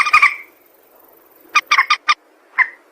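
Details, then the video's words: White-breasted waterhen call, used as a lure for trapping birds: one harsh, nasal croak, then after a pause a quick run of four short, rasping notes and a final clipped croak. The background is quiet. "suara mandar sawah"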